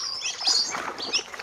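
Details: Lesser whistling ducks kept in large numbers on a farm in An Giang, Vietnam, give high, thin whistled "le le" notes in quick, overlapping bursts, several birds calling at once, with a soft background hiss.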